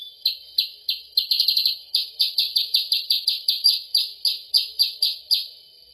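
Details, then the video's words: Sooty-headed bulbul call used as a lure to attract the bird: strong, high, downslurred chirps, mostly evenly spaced with a rapid trilled cluster near the start, continuing through the whole recording. "suara pikat mp3 untuk burung kutilang sutra/percang"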